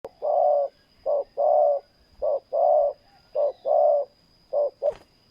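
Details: Spotted dove used as a decoy in ground-luring of wild doves, giving a low cooing phrase: short coos alternating with longer, rolling coos, about one a second. A steady high electronic hum runs underneath, and a sharp click comes near the end.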